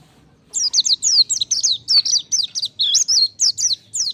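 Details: Mountain white-eye singing vigorously: a steady run of about sixteen high, sharp notes, each sliding quickly downward, packed closely in a bright chattering stream for nearly four seconds; faint low hum underneath.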